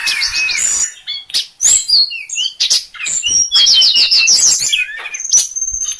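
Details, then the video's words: Sulingan, a songbird, singing: a varied, fast run of clear whistles, slurred up and down notes and sharp chips, with a trilled series of rapid sweeping whistles in the middle. "Inilah merdunya suara burung berkicau sulingan"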